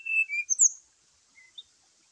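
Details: Morning fighting call of a brown-chested jungle flycatcher, meant to provoke other birds: a few bright high whistles, one flat and one sweeping up, then two quieter short notes after a pause.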